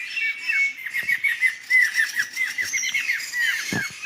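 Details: Laughingthrushes calling as a flock in a Sumatran forest: a busy run of short, loud, clipped notes near the same pitch, repeated several times a second with uneven spacing, plus a few wing or rustling sounds.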